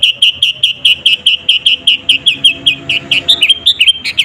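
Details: Energetic sooty-headed bulbul, natural unedited voice, played as a lure to rile rival birds; a fast run of bright, clipped chirps, about two or three per second, turning more varied and twittering at the end.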